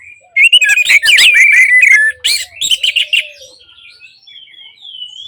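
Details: Orange-headed thrush song played as therapy for silent birds. Loud, rapid strings of varied whistles and harsh chatter run over a faint low whistle, then soften into quiet high whistled notes.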